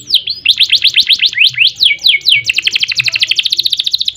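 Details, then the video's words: Singing canary, Indonesian ngerol and nembak style for masteran and pancingan use: series of swooping whistled notes that rise and fall, switching at the end to a fast, even high-pitched trill. "Kenari Gacor Panjang Ngerek Ngerol Nembak Mantap Buat Masteran dan Pancingan | Bird Singing"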